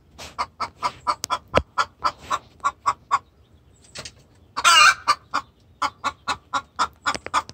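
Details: Hen distress calling to the rooster, long quick runs of clucks around three per second on either side of one loud raspy squawk.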